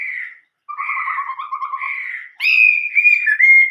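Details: Chinese hwamei song in the old-forest voice style ('giọng rừng già'). A low rapid trill runs under higher whistles, then the bird bursts into loud, ringing sustained whistled notes.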